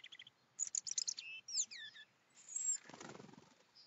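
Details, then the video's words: European robin song in the morning, one of two birds present: rapid high sliding whistles and trills, followed by a brief broad rustling noise and a faint high note at the end. "2 Rotkehlchen am Morgen"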